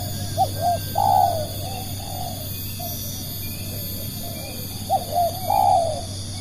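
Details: Two matching phrases from a spotted dove, used as a lure: each a pair of short coos and then a long, falling coo, separated by quieter notes, over constant low hum.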